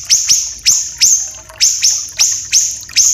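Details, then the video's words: Common iora (small siri-siri), a Sumatra and Kalimantan bird with a long, dense voice, played to tutor magpie robins: paired sharp high upslurs with thin sustained whistle endings, in irregular quick bursts. "MASTERAN SIRI-SIRI KECIL"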